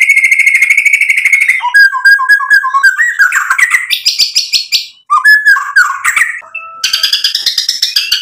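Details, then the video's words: Song of a white-rumped shama meant to stir other shamas into singing: a steady buzzy trill giving way to varied whistled phrases, chattering notes and mimicry-like sequences, ending in another rapid trill. "MURAI BATU GACOR memancing EMOSI jadi NYAUT BUNYI BONGKAR MATERI ISIAN | PANCINGAN MURAI"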